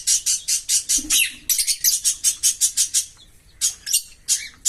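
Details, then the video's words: Singing from a pair of green Fischer's lovebirds: long, steady trains of shrill, high chirps, about three to four per second. A brief pause comes before a few more spaced chirps. "Lovebird Singing & Chirping Sounds"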